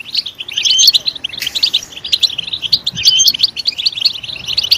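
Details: European goldfinch stimulated to sing loudly: a fast, unbroken twitter of bright chirps and short trills, with brief whistled notes around the first and third seconds. No other sounds.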